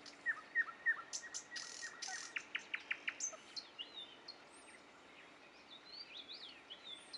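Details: Nightingale singing at Dubki: a rhythmic series of brisk repeated notes, then several quieter looping whistles and slurred high phrases.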